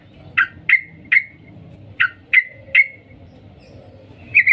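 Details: Sooty-headed bulbul female calling a male with loud, sharp, slightly descending chip notes, in two sets of three spaced evenly, followed by a brief soft chatter.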